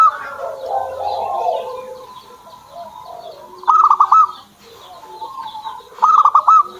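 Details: Two brisk trilled bursts of clipped dove notes from a pet zebra dove near the end, after a stretch of softer, lower murmuring and distant background bird chatter.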